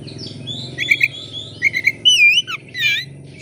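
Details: Oriental magpie-robin singing to prompt other birds: brief warbled notes, then a long wavering whistle and buzzy chatter, over a low background hum.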